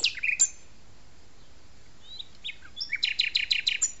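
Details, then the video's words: Common nightingale singing at the Arboretum de La Petite Loiterie: sharp whistled notes and slurs open the phrase, then a rapid series of about six loud, evenly spaced repeated notes closes it. "au chant du rossignol"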